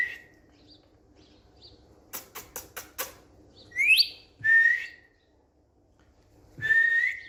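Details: A quick series of dry clicks comes first. Then an indoor Indian green ringneck parrot on a bed gives three whistles: a sharply rising sweep, a falling slur and a rising note.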